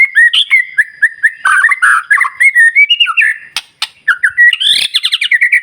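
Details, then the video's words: White-rumped shama in full song, used to provoke other shamas into singing; loud fast varied phrase of whistles, slurred notes and harsh chatter with rapid trills, continuous with one short break. "murai batu gacor SIANG MALAM GACOR TERUS, Cocok Untuk Memancing Emosi Burung Murai NGELOWO"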